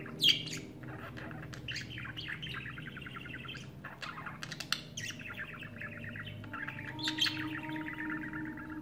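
A budgerigar warbles a long, chattering song of rapid chirps and scratchy notes, courting females.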